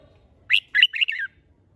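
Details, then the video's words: Caged red-whiskered bulbul kept for song contests delivers one quick warbled phrase of three or four clear, slurred notes ending in a falling trill. "Chào Mào Hót - Kích Chim Hót Xung"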